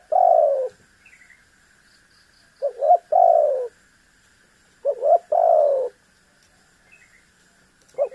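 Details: Spotted dove calling actively: each phrase opens with two quick short coos, then a longer drawn-out coo that falls in pitch. Three phrases come roughly every two and a half seconds over a steady faint electrical hum.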